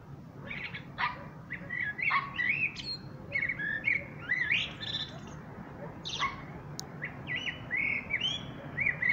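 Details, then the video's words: Common blackbird delivering a lively sequence of fluted, slurred phrases, each ending in squeaky chirps. The rhythm is steady, with a distinct phrase roughly every second. "Пение чёрного дрозда."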